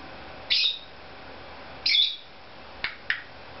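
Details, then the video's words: Harsh, grating squawks from a pet Cape Parrot making silly sounds in a room, two loud rasping calls about a second apart followed by two sharp clicks. "Cape Parrot makes silly sounds"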